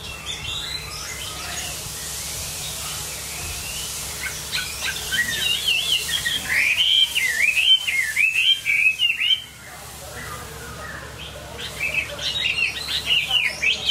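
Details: A Chinese hwamei sings bursts of rapid, warbled whistles against a hissing background, a loud rolling phrase in the middle, a pause, then another run of varied notes.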